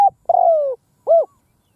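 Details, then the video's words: Field decoy spotted dove luring wild birds: a brief clipped coo, then a long smooth coo sliding gently downward, a pause, and a final short rounded coo, clean and loud with a quiet background. "Tiếng cu mồi đất gù gáy vang dội cánh đồng / Cu mồi đất gù phóng - Gáy chiêu Bổi giữa cánh đồng"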